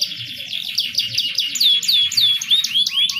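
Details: Canary song played to stimulate a reluctant bird into breeding condition: high, repeated downward-sweeping whistles run into a quick rolling trill, with a faint low hum underneath.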